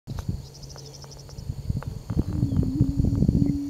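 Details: Attwater's prairie chicken booming as a courtship display at the Attwater Prairie Chicken National Wildlife Refuge in Eagle Lake; a faint low hum, then a sustained low, steady moan over rapid irregular tapping and clicking sounds.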